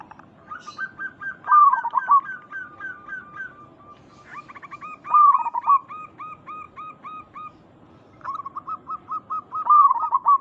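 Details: Local zebra doves, a lure recording meant to make others answer: three cycles in which a run of short hooked whistled notes leads into a loud rolling coo, with a second bird's notes overlapping.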